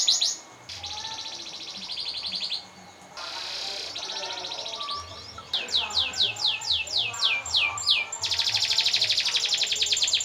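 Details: Canary song used as a master recording for training other birds and for contests: long rolling trills, rapid repeated high notes in fast series, buzzy sustained phrases and sweeping descending whistles, all high-pitched and loud throughout.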